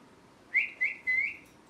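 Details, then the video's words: A pet rose-ringed parakeet gives three short, bright whistled chirps in quick succession, each slightly rising, in an otherwise quiet room. "Parrot Chirping Sounds | Natural Parrot Sounds"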